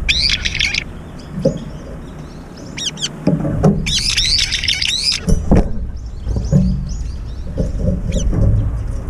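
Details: At a feeder, brown-eared bulbuls chase each other in the air while eating, uttering loud harsh screechy bursts and shrill chattering notes, mixed with wing flutter and low knocking sounds.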